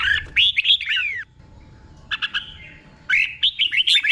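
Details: Red-whiskered bulbul kept as a caged tutor bird, its song doubled in pairs: a rich, slurred, fluty phrase, then a pause and a choppier burst of rapid chattering whistles.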